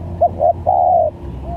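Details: Spotted dove used as a trapping lure gives one low cooing phrase: a short coo, a slightly longer one, then a long level coo that fades slightly, with a faint coo starting at the end and a soft low rumble beneath.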